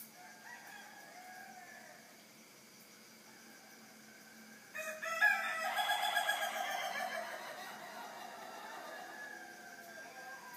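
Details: Rooster crowing at 3:50 in the morning: after several seconds of quiet, one loud, rough, harmonic crow lasting about three seconds, rising then trailing off, over a low steady background hum.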